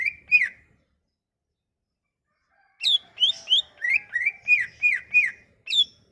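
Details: Lure song of a Sumatran leafbird for prompting quiet leafbirds to sing: two whistled notes, then a pause, then a brisk run of seven rising-and-falling whistles ending in a high flicked note.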